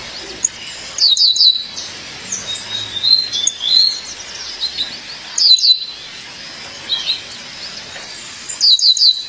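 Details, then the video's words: Female violaceous euphonia calling her partner: groups of three high, sharp down-slurred chirps repeated every few seconds, with soft twittering between. "Fêmea de Guriatã, chamado seu parceiro"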